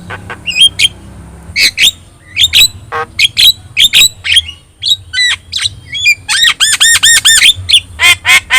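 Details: Song of a yellow-eyed Javan myna (jalak kebo) from Indonesia, played to teach other birds; choppy squawks and clicks give way to a fast run of repeated looping whistled notes, then more sharp chatter.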